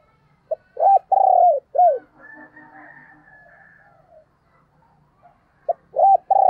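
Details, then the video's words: Decoy spotted dove calling to draw in wild doves: a phrase of low, hollow coos, short notes then a long falling one, repeated about four seconds later, with soft twittering and murmurs in the pause. "Tiếng Chim Cu Mồi Gáy Gọi/ chim Cu Gáy Kích Bổi Sung"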